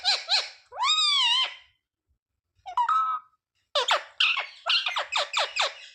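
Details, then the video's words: A pet rose-ringed (ringneck) parakeet talking, chattering high, nasal imitations of words like "mummy" and "papa", first in short phrases with pauses, then a quick run of six clipped syllables. "Ringneck parrot talking sound mummy, papa, mithu"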